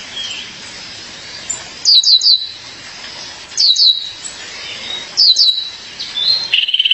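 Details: Female violaceous euphonia calling to her mate, giving bursts of three or four sharp, high, descending chip notes about every one and a half seconds, followed by a short buzzy trill at the end.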